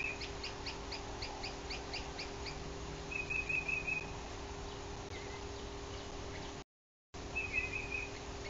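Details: Morning visit by a male yellow-shafted northern flicker to a bald eagle nest in Bluff City, Tennessee, June 2023, recorded on a livecam. A rapid series of clipped, repeated notes runs for about two and a half seconds, followed by short trills from another bird over constant hum.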